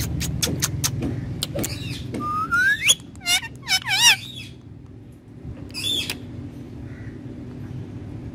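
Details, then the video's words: A talking parrot gives a long rising whistle, then several quick warbling, wavering whistled notes and a short harsh squawk, over clicking sounds and a low steady background hum. "Talking Parrot"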